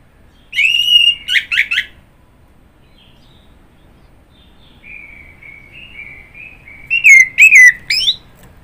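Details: Orange-headed thrush: a burst of rapid warbled whistles, a long soft drawn-out whistle after a pause, then a loud trilled, slurred flourish at the end.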